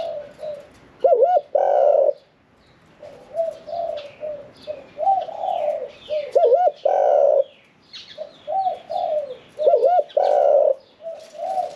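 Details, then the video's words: Spotted dove in a cage, one year four months in captivity, medium-voiced, performing 'khan yon 1 kuk' cooing song; low, mellow coo phrases recur about every four seconds, each ending in a louder, rolling double coo, with faint chirps behind. "ฟังเสียงขันนกเขาใหญ่ { ขันโยน 1 กุก} ,{นกเสียงกลาง}"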